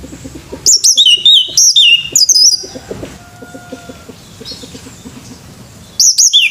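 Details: A male orange-headed thrush sings in the morning with a fast series of descending whistled notes, then falls quiet while faint level tones sound, before starting again.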